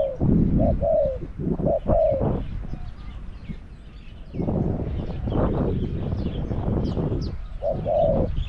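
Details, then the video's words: Caged decoy Spotted dove luring wild doves at Song Phi Nong. A few soft coo phrases at the start and again at the close, separated by a long stretch of rustling and thumping noise. "ต่อนกเขาใหญ่ EP302ลุ้นนกป่าที่สองพี่น้อง"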